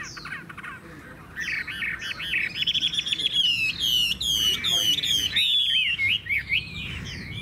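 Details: A Chinese hwamei kept in a cage in Vietnam sings strongly, running a long ribbon of fluid, wavering whistles over rapid stuttering notes, with a brief pause near the end.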